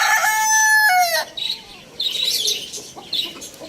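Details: Lohmann Brown rooster crowing loudly: a strong, ringing crow of just over a second that drops sharply in pitch at its end, followed by soft clucking and bird chirps.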